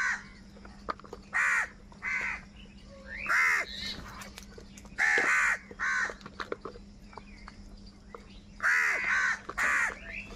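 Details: Crows fighting over food give harsh, nasal caws in short bursts of two or three. Several birds overlap, with sharp clicks and knocks between the calls and a low steady hum underneath.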